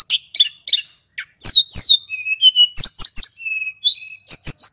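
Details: Lure song of a male hill blue flycatcher: short chattering notes, then downward-sweeping whistles, level held tones and quick paired clicks in a vigorous rolling delivery.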